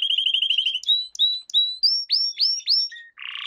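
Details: Canary lesson song for young canaries: a quick run of repeated chirps, then spaced rising whistled notes climbing higher, and a short harsh buzz at the end.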